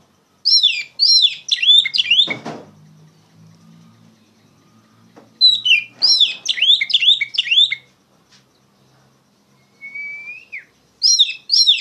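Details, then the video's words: Oriental magpie-robin, a loud song used to train other young songbirds: three bursts of rapid, descending whistled phrases separated by quiet gaps, with a knock and a rising, slurred whistle between them. "PANCINGAN KACER NGEPLONG GACOR SUARA LANTANG COCOK UNTUK MASTERIN POCI BAHAN"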